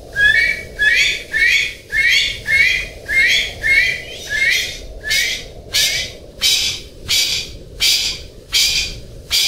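A golden pheasant gives about fifteen harsh, raspy notes in steady succession, roughly three every two seconds, over a low constant rumble.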